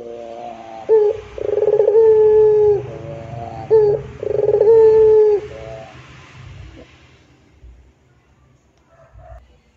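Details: Puter dove in pelung style, two rich coos in succession, each opening with a throbbing roll and stretching into a sustained even tone, followed by quieter fading notes and near silence.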